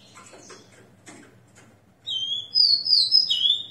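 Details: Ringed Rufous-collared Sparrow kept in captivity, singing after its moult at six a.m., 29 September 2021; faint taps and rustles, then a clear whistled phrase, level opening note rising into higher slurred whistles and a falling end.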